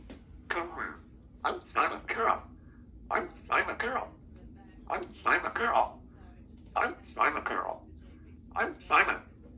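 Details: A female Congo African grey parrot, indoors at her country home, talks in short speech-like bursts of words with pauses between phrases, alongside her owner's voice.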